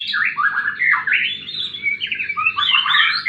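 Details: Continuous, loud fighting song of a white-rumped shama, intended to get stalled birds singing: unbroken rolling warbles and slurred whistles shifting pitch constantly, with a steady low rumbling background.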